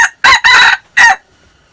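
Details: Red junglefowl aged six months, taped 13 March 2019: a single abrupt crow of four rasping pulses, a brief first note, a long middle pair and a clipped final note, ending in near silence.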